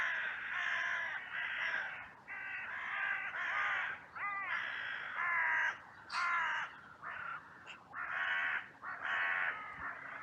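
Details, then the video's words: Crows in a cemetery, filmed by trail cam on a sunny day, rush in with a massive outcry after two crows fought briefly; a steady run of harsh, nasal caws, some rising in pitch, repeated in quick succession by several birds. "Crows and Crow Sounds"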